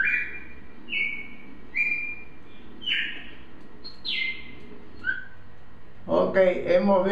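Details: Brazilian cardinal (cardeal) whistling a string of slurred notes, level and downward-falling, for six seconds before a man's voice starts speaking over the end.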